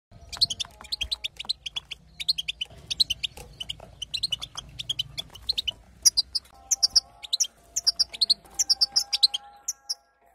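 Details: European goldfinch female giving calls meant to set the male singing; quick high chirps and tinkling twitters in close bursts throughout, over a faint low hum and thin steady tones later on.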